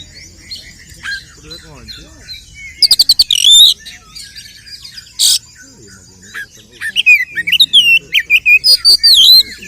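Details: Oriental magpie-robin, locally kacer, in a fighting song used to stir other males: rapid high ticks and whistles, a harsh burst, a short quiet spell, then a long run of quick, sharp, varied whistled notes.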